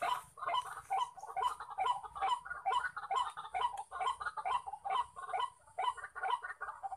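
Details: Wild white-breasted waterhens, males calling from all sides while a decoy bird is set out to lure them: steady, hoarse, stuttering notes in quick even rhythm, a little over two per second, throughout.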